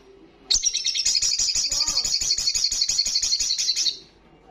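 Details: Olive-backed sunbird singing the loud, fast 'ngalas' style: one continuous high, buzzy trill of about twenty quick pulses lasting over three seconds, starting abruptly and stopping cleanly.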